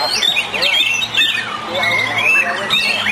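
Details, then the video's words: A caged white-rumped shama in a singing contest pours out a rich, fast medley of clear whistles, slurred rising and falling notes and chattering phrases, with a faint low electrical hum underneath. "Suara Murai Batu Lomba"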